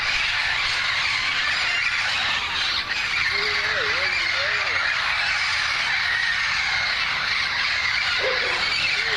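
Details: Over 100 wild parrots, green and hidden in a front-yard tree in Burbank, create a nonstop screeching chorus of raucous overlapping calls, with a man briefly calling out over the din.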